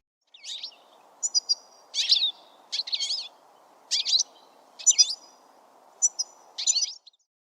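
A goldfinch sings bright, twittering phrases of quick high notes and jangly trills, with brief pauses between bursts over a faint steady hum.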